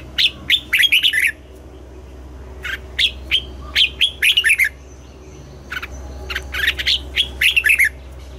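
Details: Red-whiskered bulbul song in the morning, a kept bird in voice training for double-note, old wild-bird style singing: bursts of bright, warbled, rolling phrases, several notes each, separated by pauses, with a steady low hum behind.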